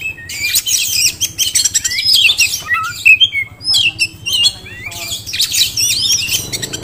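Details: Caged Oriental magpie-robin, a prospective contest bird from Kisaran, sings a rapid, varied run of high whistled slurs and harsh buzzy bursts, broken by brief pauses, over a faint low hum.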